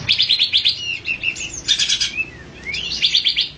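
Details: Olive-winged bulbul delivering quick pulsed chatters broken by short slurred whistles, one rising sharply, in a continuous run of notes.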